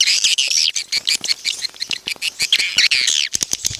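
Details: Swiftlet call played to attract swiftlets into a crowded bird house: dense, buzzy, rasping chatter of high twittering notes, broken by short sharp clicks.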